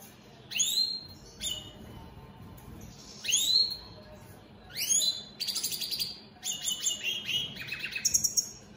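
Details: Opal split Satane mutation European goldfinches singing: high tinkling twitters and bright rising notes in short bursts, with buzzy trilled passages toward the end over faint background hum.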